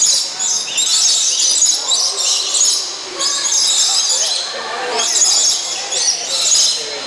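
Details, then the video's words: Lorikeets at a Bird Kingdom aviary in Niagara Falls, noisy while feeding on nectar: a dense chorus of shrill, screeching high-pitched calls in overlapping waves, with indoor hall echo. "Feeding the Lorikeets"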